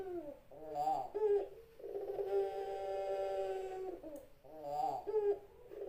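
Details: Indonesian puter pelung, a Barbary dove, giving its cooing song: low rolling coos, then one long, steady, drawn-out coo held for about two seconds before a quieter, bubbling phrase returns. Recorded indoors with a faint hum.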